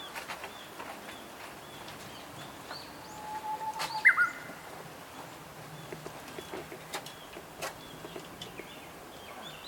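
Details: Young Japanese bush warbler, recorded 16 May 2023 at Zama Yatoyama Park in Zama, Kanagawa, Japan, in its spring valley: a low, drawn-out whistle swells, then breaks into a few abrupt higher notes, with scattered clicks and a noisy outdoor background.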